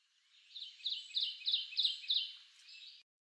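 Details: A Kentucky Warbler sings six quick, rolling two-note "teacher"-like phrases, about three a second, holding an even, flat pitch and loudness throughout rather than building up as an Ovenbird's does.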